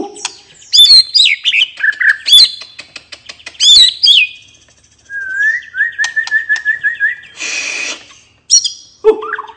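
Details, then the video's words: Murai batu, the white-rumped shama, in relaxed ngeplong song used to prompt other birds into singing; rich looping whistles, a rapid even trill of rising notes, a brief burst of harsh hiss, then more whistles. "suara murai batu ngeplong santai bikin burung bahan/macet cepat bunyi dan gacor lagi"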